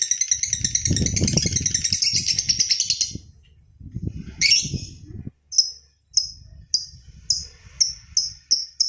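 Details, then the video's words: Lovebird in 'ngekek' style, a long trill used to train and provoke other lovebirds: three seconds of fast shrill chattering, then a pause and a series of separate sharp chirps spaced about half a second apart. "SUARA MANCING BURUNG LOVEBIRD NGEKEK PANJANG,MELATIH BURUNG LOVEBIRD NGEKEK PANJANG"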